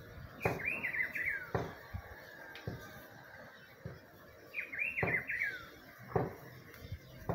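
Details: Rufous-browed peppershrike in spring: a rich warbled whistled phrase that rises then slides downward, given twice about four seconds apart, with sharp low knocking thuds scattered throughout.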